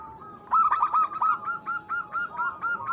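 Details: Local Zebra dove calling a rival. A quick stutter of coos opens into a rhythmic chain of ringing, slightly rolling notes repeated several times per second, with a steady faint tone underneath.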